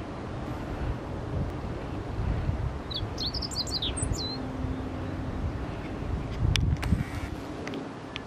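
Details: Meadow bunting singing from a rock: a single fast burst of thin, high twittering notes ending in a downslurred whistle, partly masked by wind and low rumbling noise, then quiet.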